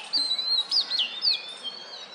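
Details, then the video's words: An oriental magpie-robin perched on a wooden stump ruffles its feathers and sings courtship calls to females while defecating: a rapid, sweet, varied run of clear, high whistles with sliding, looping notes over faint hiss. "Oriental Magpie-Robin poops while making mating calls!"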